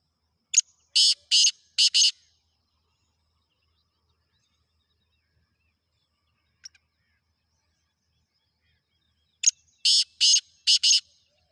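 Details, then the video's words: Two bursts of black francolin calling, each a sharp lead-in note followed by four rough, buzzy notes. The bursts are separated by about seven seconds of near silence with one faint click between them. "Khasar Teetar Chakri wala Teetar"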